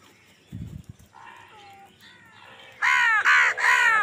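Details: Crow fighting for food: after some quieter, varied background noise, three loud, harsh caws come in quick succession in the last second, each a rough, grating burst.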